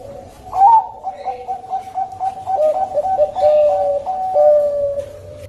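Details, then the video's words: Zebra dove of the Bangkok type (perkutut Bangkok), recorded as a lure song. Mellow cooing notes are repeated in a quick, slightly uneven series, starting with a brighter rising note and then falling into a steady run of soft, hollow coos in a quiet room. "Pancingan Perkutut Bangkok"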